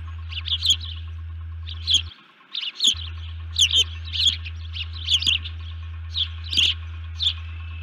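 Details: Osprey at the nest, upset and calling alerts on 1 June 2019 before dawn, captured by nest camera: dense runs of high, thin chirps in clusters of two to four, with a steady low hum briefly interrupted.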